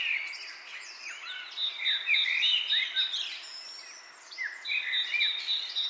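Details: Chirping birds with wind in leaves: bright sliding whistles and quick chirps overlap, with a high buzzy pulsing trill that starts and stops, busiest in the middle.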